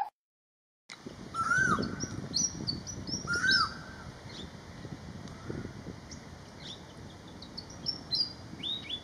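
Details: Malaysian pied fantail singing: clear whistled phrases of short rising-and-falling notes, some low and some much higher and sharper, arriving every second or so after a moment of silence, over a steady high hiss and soft low rumble.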